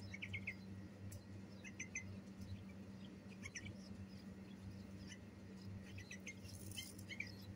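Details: Bulbul nestlings begging during feeding: bright, high, clipped chirps repeated in small clusters every second or so, over a constant low droning hum.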